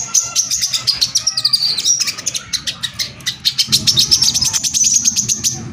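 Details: Brown-throated sunbird (korlap) in rapid-fire lure song to agitate other sunbirds: brisk, high chirps with thin, descending whistles, accelerating into a dense, even trill of sharp notes, over a low rumble.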